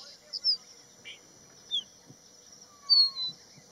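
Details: Crested bunting on Haidakhan Road: a few short, high, sharply falling chirps spaced about a second apart, then a longer slurred double note, over a steady high whine and a faint lower drawn-out whistle.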